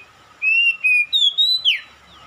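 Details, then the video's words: Oriental magpie-robin singing in response to another magpie-robin: a clear whistled phrase of five linked notes, level then stepping higher and ending in a sharp downward slur, over a steady faint hum. "KACER MEMANGGIL | KACER LAIN LANGSUNG RESPON GACOR"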